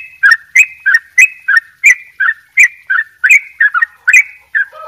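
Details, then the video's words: Bali sooty-headed bulbul singing 'dobel ropel gacor': a quick, regular string of bright, slurred chirps about three per second, ending with a lower, drawn-out whistled note. "trycuk bali dobel ropell gacor"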